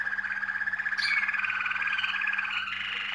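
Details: A Waterslager (Malinois) canary from a breeder sings a continuous, low, bubbling roll that rises slightly in pitch midway, with a faint steady electrical hum underneath.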